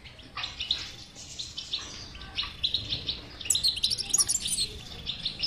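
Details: European goldfinch batbata song, used to prompt a silent goldfinch to sing: quick liquid twittering phrases, with a louder, denser trilled burst in the final two seconds.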